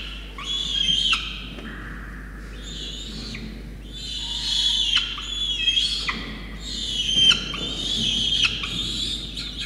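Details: Peregrine falcon chick at Orange, New South Wales, Australia, 5 November 2021, begging as both rain-soaked parents deliver a wet starling. Three loud bouts of harsh, strained wailing with short pauses between them.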